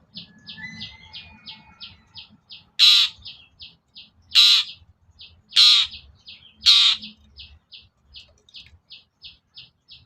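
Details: Long-tailed shrike sound used as a lure: four loud, harsh, grating notes in a row, set against an even, rapid series of soft high ticks and a faint low hum.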